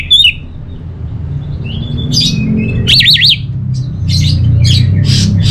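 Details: Orange-headed thrush from Bali: scattered whistled notes, then a rapid wavering trill at high pitch, followed by short spaced bursts, with low rumbling noise throughout.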